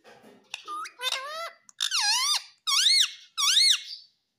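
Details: Ringneck parrot talking, imitating "mummy papa": a series of five loud, strained, arching syllables, the last two matching repeated words spaced under a second apart, indoors.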